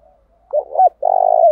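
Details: Decoy Spotted dove delivering a coo meant to make wild doves respond; faint lead-in, two short hollow notes, then a long pulsing coo ending with a slight downward slur, near-silent background.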